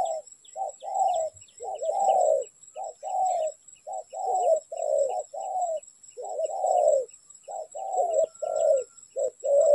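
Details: Spotted dove heard during trapping in Vietnam, giving low, throaty cooing notes almost without pause. Short and drawn-out coos are grouped in twos and threes, with a faint, regular high ticking in the background.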